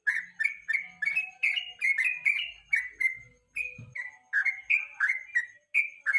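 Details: Yellow-vented bulbul singing in the evening as tutor song for contest songbirds: fast, chattering whistled phrases with bright slurred notes, a brief pause midway, faint low knocks behind.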